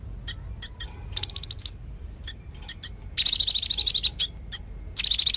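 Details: Konin in loud song, used as a tutor song for magpie-robins and fighting songbirds: very high sharp ticking notes alternating with rapid, shrill buzzy trills, in bursts of about half a second to a second.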